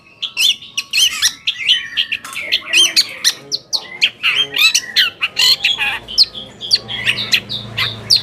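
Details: Long-tailed shrike song played to provoke silent or reluctant shrikes into singing: scratchy, chattering phrases of mixed harsh and whistled notes, delivered in quick bursts, with a faint low hum late on.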